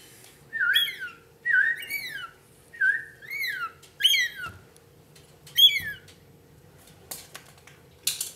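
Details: A lorikeet, seemingly kept as a pet, repeats harsh, harmonic, downward-sweeping whistled calls about once a second for six seconds, followed by a few clicks and rustles over a faint constant hum.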